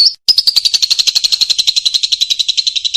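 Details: Rapid, buzzy trilled chatter from a lovebird in 'gacor' song, prepared as master audio for competition birds; a quick high note, a tiny gap, then a continuous pulsing trill gently falling in pitch.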